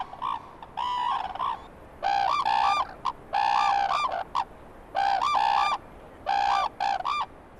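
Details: A red-crowned crane pair in Hokkaido, Japan duets in loud, ringing trumpet notes in tight time, in bursts about every second and a half. The male usually calls first and the female follows, a bond display heard up to 5 km away.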